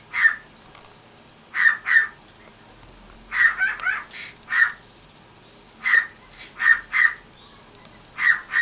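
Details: A pet cockatiel gives short, harsh bark-like notes in irregular pairs, mimicking the household dog.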